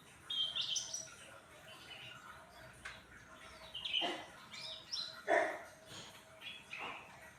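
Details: Pet cucak ranting, a grey-bellied bulbul, in full song after a meal of crickets and time in the sun: short, clear whistled chirps spaced a second or two apart, mixed with sharp knocking clicks and background noise.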